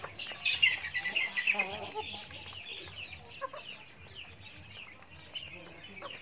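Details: Chickens on a backyard farm at feeding time; a loud run of rapid, clustered clucks and cheeps in the first two seconds, then softer, scattered peeping chatter continuing over a quiet background.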